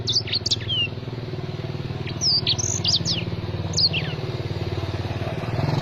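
Black-throated sparrow song of high, sharp, sliding notes in quick bursts of three to five, a phrase every second or two, over a steady low engine hum.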